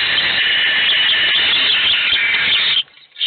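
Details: Owl chicks in a nest box, all hungry while only one eats, keep up an unbroken harsh hissing screech for almost three seconds, then a short lull before another rasp begins.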